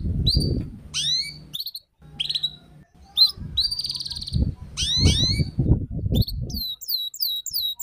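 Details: Lure song for a young canary learning the ngeriwik style: scattered, sharp, high notes that sweep downward, in short separate bursts, over loud low thumping and rumbling noise.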